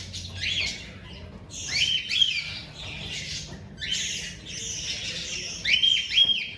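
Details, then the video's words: Several bursts of raspy, hissing cries from baby cockatiels being bred in captivity, with short squeaky whistle notes mixed in and brief pauses between outbursts. "Cute cockatiels babies"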